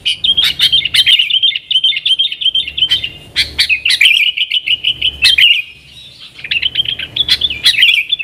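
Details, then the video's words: Yellow-vented bulbul singing a vigorous nggaruda-style song, a lure for wild sooty-headed bulbuls: fast chattering, warbled phrases broken by sharp clicks, with a brief pause before the bubbling notes resume. "TRUCUKAN GACOR Nggaruda Super Ampuh Untuk Suara Panggilan Burung Kutilang Liar"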